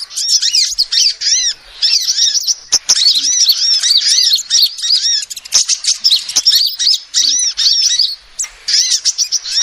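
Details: Calls of a female sunbird, used as a lure to attract birds: dense bursts of high-pitched, twittering chevron-shaped notes running almost continuously, broken by a few brief pauses and sharp ticks.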